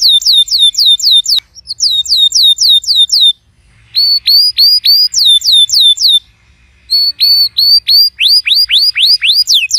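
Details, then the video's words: Canary song played to spur a silent canary: bursts of crisp hooked whistled notes repeated several per second, separated by brief pauses, the phrases varying between rising and falling sweeps. "PUTAR VIDEO INI JIKA KENARI ANDA MACET BUNYI"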